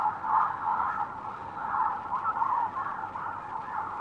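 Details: Continuous gabbling chorus of many lesser flamingos, adult breeding males gathering for courtship display, a dense mass of nasal honks rising and falling in loudness without pause.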